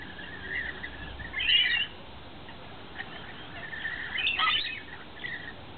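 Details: Wild lorikeets feeding on wet nectar mix in a yard in the afternoon give harsh, screechy chattering calls in two short bursts about three seconds apart, with quieter squeaks between.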